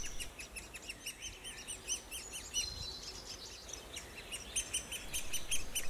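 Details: Great spotted woodpecker nestlings in woodland in spring, awaiting feeding, give high, rapid chirping begging calls, several each second, over a low rumble of background noise.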